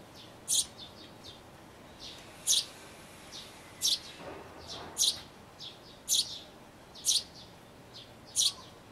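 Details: Sparrow nestlings close to fledging inside a birdhouse, recorded 12 May 2012: short, high, sharp chirps, about eight spaced irregularly roughly a second apart, over a quiet background.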